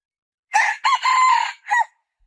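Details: Red junglefowl giving one loud, hoarse crow in four segments: a quick start, a rising syllable, a long sustained note and a short, clipped tail that falls in pitch. The surroundings are silent.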